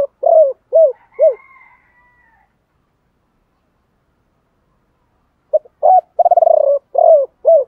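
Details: Male and female spotted doves whose calls are used to make caged birds coo: three arched coos with a faint higher tone above, a long gap, then a stuttering start, rolling purr and two more coos.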